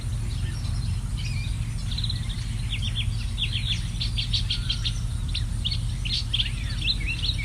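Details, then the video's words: Wild birds on a warm, sunny summer day in a forest neighborhood give quick, high chirps in bursts that grow busier toward the middle, with a constant low background hum. "Bird chirp sound, forest, neighborhood on a sunny summer day"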